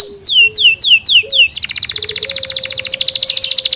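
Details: Kept Yorkshire canary producing five loud falling whistles, then a long, very rapid high trill; a faint low steady tone is heard behind.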